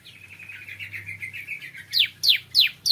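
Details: A bar-winged prinia in the morning gives a soft, jumbled twittering warble, then three loud, sharp, downslurred notes spaced about a third of a second apart.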